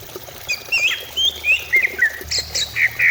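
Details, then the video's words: Greater green leafbird song used to prompt singing: rapid jumbled chattering whistles, several notes per second, mixing mid and high squeaky slurs, with a low background hum. "Pancingan cucak ijo supaya cepat bunyi"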